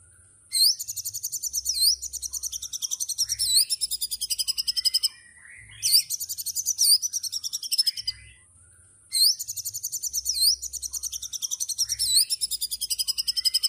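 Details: Rapid 'tembakan' song of a white-rumped shama: three long bursts of very high, fast-repeated chirping trills, each lasting a few seconds and separated by short pauses, with a faint steady hiss behind.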